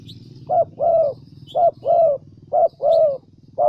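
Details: ["Decoy spotted dove from Vietnam's Central Highlands cooing in short-long paired notes, low and mellow, three pairs in quick succession over a steady low hum, with faint high chirps of small birds."]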